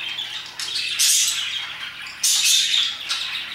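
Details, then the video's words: Parakeets around 2pm give two loud rasping flurries of high squawking chirps, separated by softer chatter, with a faint steady hum underneath. "Parakeets chirping and singing their hearts out"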